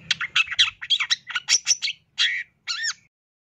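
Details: Cendet, the long-tailed shrike, singing a lavish fill-in song: fast scratchy chattering notes tumbling together, then a drawn-out harsh buzz and a wavering nasal squawk; faint low rumble early on.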